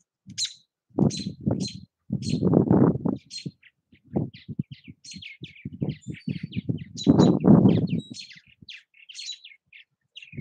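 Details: At nest houses in Southwest Missouri, purple martins give a busy stream of thin, high chirps and twittering notes while heavy low knocks and rumbles come and go underneath.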